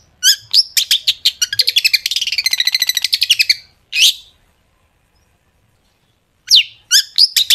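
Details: Long-tailed shrike in lively song of sharp 'tembakan' phrases, used to lure shrikes into singing; a rapid even rattle of repeated notes speeding into a buzzy trill, one slurred squeal, a two-second silence, then fresh chirps.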